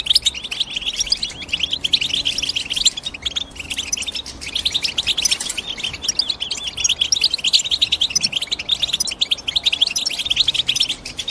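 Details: Long stretch of bright European goldfinch twittering, with a crowded overlapping mass of sharp high chirps and rapid trills that never pauses, the rhythm fast and jittery throughout.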